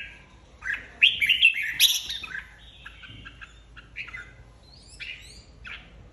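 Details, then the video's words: Red-whiskered bulbul flock leader, newly split from its aviary, singing in competition: a loud, tumbling warbled burst early on, followed by fainter, spaced, short whistled notes. "Chào mào đầu đàn mới tách avi ra ( chào mào hót đấu)"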